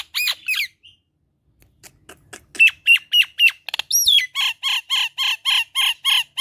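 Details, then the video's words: Nias hill myna in lively, loud song: a few sharp slurred whistles, a gap, a string of clipped metallic notes and a high upslurred whistle, then a steady run of about nine harsh repeated squawks. "JALAK NIAS || suara gacor kemrewek terbaru 2021"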